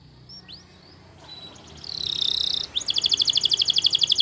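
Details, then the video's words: Belgian canary song for training: a few soft thin notes, then a loud buzzy rolling trill, and finally a rapid pulsed series of repeated notes, over a faint steady background hiss. "Belgian Canaries Sing With Melodies That Are Pleasant To Listen To!!"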